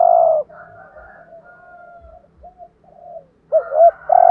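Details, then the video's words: Spotted dove urging call used to excite other doves: a long coo fades into quiet low murmurs, then a fresh phrase of two bent notes and a sustained coo begins. "chim cu gáy thúc gù bài bản/ Tiếng chim cu gáy kích bổi và mồi rất xiêng gáy"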